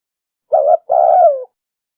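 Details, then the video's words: A female spotted dove calls to stimulate the male: one brief, slightly quavering coo, then a long, smooth coo that falls in pitch at its close, in a quiet setting. "tiếng chim cu gáy mái kích trống"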